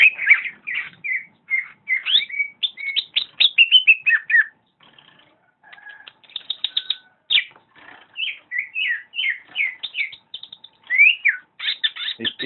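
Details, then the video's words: Greater green leafbird singing at full energy: a lively run of varied whistled phrases, quick slurred notes and short rising and falling sweeps, broken by a brief pause in the middle, with rapid chattering notes near the end. "Burung Cucak Ijo Gacor"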